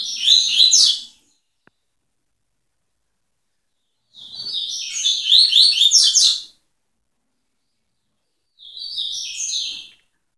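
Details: Three bursts of tui-tui song from a double-collared seedeater, each a rich string of fast high whistles and sweeping chirps, separated by several seconds of silence.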